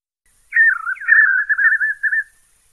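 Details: White-eared puffbird singing one continuous phrase of quavering, warbled whistles at mid pitch. The phrase slides up and down for nearly two seconds over a faint high hiss.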